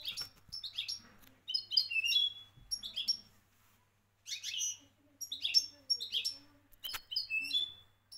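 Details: European goldfinch, Moroccan champion song style: lively high-pitched twittering phrases of quick chirps and liquid trills, a short silent gap, then more rapid tinkling bursts.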